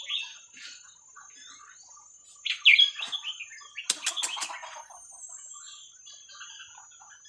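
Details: Red-whiskered bulbul song in the 'Hua Krok Khayao Khuat' style, played to teach young birds: a warbled whistled phrase, followed by a rapid series of sharp clicks or taps and softer scattered chirps.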